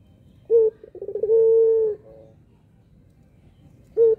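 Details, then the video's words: Puter pelung dove cooing to prompt silent doves to answer: one complete phrase of short note, rolling stutter and long even low hum, with the next phrase starting at the end. "puter pelung paling jago pancing puter yg malas bunyi"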